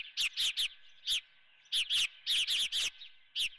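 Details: At the Dunrovin nest, an osprey with a live golden fish for breakfast utters clusters of loud, piercing whistled chirps, quickly repeated in twos and threes with brief gaps between them.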